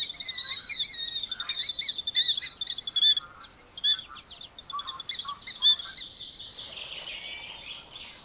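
Killdeer giving shrill, high, piercing notes in quick overlapping bursts, with a few lower chattering notes mixed in.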